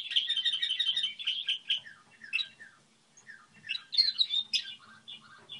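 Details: Goldfinch hybrid singing its model song: a fast buzzy trill, then scattered twitters and slurred chirps, rising again into a loud jumbled phrase.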